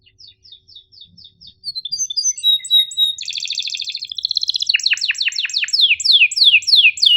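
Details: Lively canary song meant to coach silent or young canaries: spaced soft chirps give way to thin whistles, a loud buzzy rolling trill, then a long run of rapid downslurred notes.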